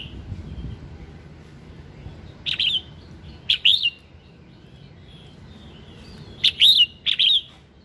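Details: Red-whiskered bulbul singing in the morning gives short, bright, liquid warbled phrases, five in eight seconds in two clusters, over a low steady background rumble.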